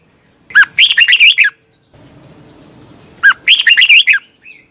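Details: Morning competition singing of a red-whiskered bulbul, 'twisted voice' style, recorded for training: two loud warbling phrases of looping whistles, each opening with a sharp upslurred note and separated by a quiet two-second gap with faint background hiss.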